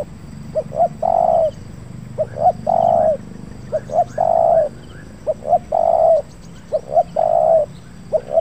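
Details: Captive Spotted dove decoy, caught 20 August 2023 and kept nearly five months, on its first outing near an oil palm plantation, responding well to wild doves. Two or three stuttering notes lead into a long, mellow, low coo, repeating every ~1.5 seconds.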